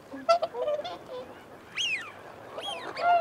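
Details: Whooper swans giving feeding and territorial calls: nasal, bugling honks in a short burst, joined by high rising-and-falling whistles from wigeon, with mute swans also present in the flock.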